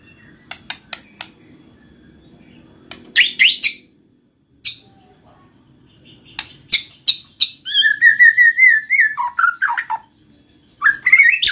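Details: ['White-rumped shama song meant to prompt other shamas to sing: scattered sharp chips and short bursts broken by pauses, then a lively whistled phrase of wavering notes and a final burst of high notes.']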